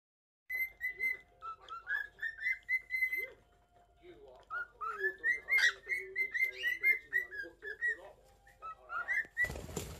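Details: A male cockatiel sings to a female in courtship: a warbling run of whistled phrases, sliding and rising notes repeated rapidly with brief pauses; a burst of noise at the end.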